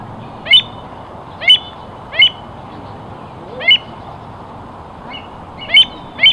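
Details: American avocet giving sharp, clipped, high notes, seven in about six seconds at uneven spacing, each a short bright burst over a faint steady low background rumble.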